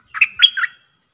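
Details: Caller Dok taeng bird working as a decoy for wild birds: one brief squeaky phrase of three linked chirps joined by a thin whistled line.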